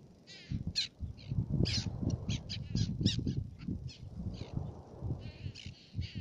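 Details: Black-naped tern at Fares in Baa Atoll, Maldives, giving many rasping, grating calls, several per second with uneven spacing, over a constant low roar of wind or surf.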